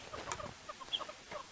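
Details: Hornbills giving alarm calls in bush after kudu were alarmed, possibly by a leopard or serval: short, hollow clucking notes in quick uneven bursts, mid-pitched, with a thin high bird note and faint bush background; morning bush walk, May 18.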